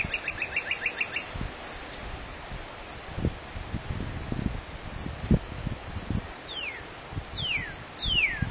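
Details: Free-living Northern cardinal opens with a brief rapid trill of short notes, then after a pause gives three loud, clear whistles sliding steeply downward, with rustling and thumping noises below throughout.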